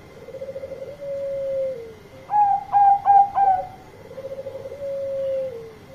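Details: Loud zebra dove song of the Bangkok type, calling to companions: a soft trilled coo, four bright staccato ringing notes, then another purring trill that drops at its end.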